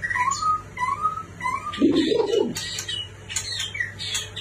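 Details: White-rumped shama from a neighbouring country giving short rising whistled phrases repeated about every half second, interrupted by a low rough grating sound midway, then high thin notes, over a low background hum.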